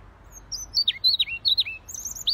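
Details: Siberian rubythroat singing actively: a quick run of high, sharp, twisting notes that slide downward, packed into a phrase of about a second and a half with short gaps.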